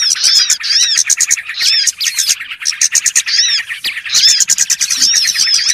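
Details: Trapping lure of small birds (burcil): bursts of rapid high chatter with downslurred squeaky notes, broken by short gaps, several birds overlapping in a lively twittering flock sound.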